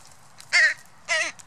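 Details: Northwestern crows in fall 2015, a hungry young crow feeding on sunflower seeds among adult crows; two harsh, nasal caws about half a second apart, each a short rasping burst with a slight downward bend.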